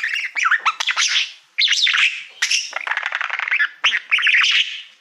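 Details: Pet budgerigar singing to a mirror-like silver plaque: a continuous chattering warble of rapid clicks, squeaky chirps and buzzy notes, broken by brief pauses, recorded indoors.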